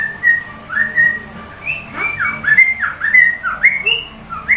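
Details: Sooty-headed bulbul singing in a style that imitates the white-rumped shama: clear, slurred whistles rising and falling, strung into a lively, varied phrase of quick notes with brief pauses between them.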